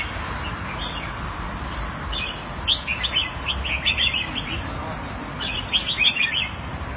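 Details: A caged red-whiskered bulbul in Singapore, kept in Thai style, 2018: after a quiet start, bursts of rapid bright chirruping phrases, loud and clustered, with a faint hum underneath.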